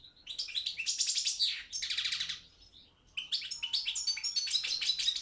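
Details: Balkan European goldfinch (Carduelis carduelis balcanica) singing for a Serbian association's online world song championship: rapid bright trills and buzzy rattled notes, a short pause, then more tinkling twitter.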